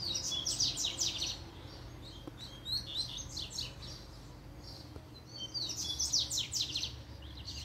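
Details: Seedeater in a cage going wild once a female shows up: loud, fast phrases of high chirps and descending strokes, two main bursts with quieter twitters between, low electrical hum underneath.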